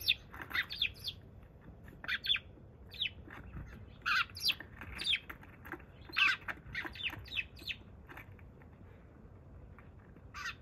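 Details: Sparrow, wild, on 28 February, the first to arrive that day: irregular series of short sharp chirps in clusters, pausing for a few seconds before a final chirp.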